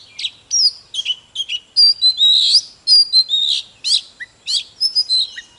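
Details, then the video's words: Oriental magpie-robin singing and displaying in a fast, intense song: varied whistled notes and sharp chirps, some rising or falling sweeps, delivered in quick bursts with brief pauses between them. "Chòe than HÓT MÚA || KÍCH LỬA || Kích chòe than hót căng"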